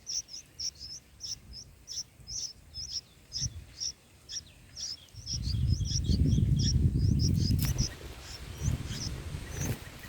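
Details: Four-day-old bulbul chicks calling in the nest at feeding time, fed a green cocoon, a frog and a wasp: quick, thin, high peeps repeated about three per second, later masked by loud rustling and low rumbling.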